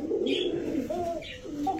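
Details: Domestic pigeons, a running breeding pair of Basiraj males that are egg-sitting, described as aggressive and calling continuously, give low, rolling coos repeated in soft throaty bursts.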